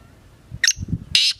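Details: Black francolin, or kala teetar, producing a sharp clipped note followed by a louder rasping burst, with low thumping noise between them.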